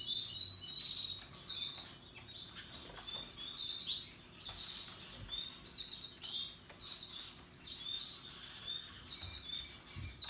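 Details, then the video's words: Canaries of the Russian yellow and Timbrado kinds singing happily: high, bright twittered phrases and quick trills come in bursts with short pauses, while other small birds chirp alongside in a busy chorus. "Relaxing Canaries and others birds singing sounds"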